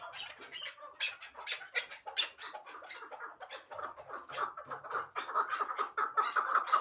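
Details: Hybrid partridge kept for fighting and hunting, calling with rapid rasping notes that start uneven and then build into a quicker, more regular chuk-chuk series.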